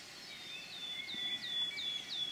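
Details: Wood warbler in the Forest of Dean, 6 May 2018: clear, piping notes, each sliding downward, repeated about every third of a second over a faint, steady background hiss.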